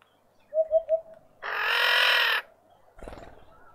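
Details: Female red-winged starling coping with an injured, deformed beak, visiting a feeder in a suburban garden in Pretoria, South Africa; three soft low notes, then one loud harsh rasping call lasting about a second, followed by clattering noise.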